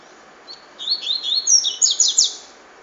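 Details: Double-collared seedeater in the cachoeira song style, a rapid run of high, twittering notes that climbs and quickens, ending in loud buzzy rattling trills, in a quiet setting.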